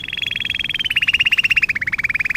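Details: Canary performing a rapid, even trill of clipped notes from a lesson recording for training young canaries, stepping down in pitch twice while keeping a steady pulse, with faint background hiss.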